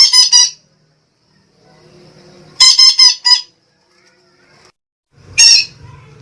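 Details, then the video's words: Red-breasted parakeet, Sumatran betet, as a bird-attracting lure: rough, grating squawks in quick bursts of three or four, with a low background rumble in the pauses. "SUARA BURUNG BETET SUMATRA PEMIKAT"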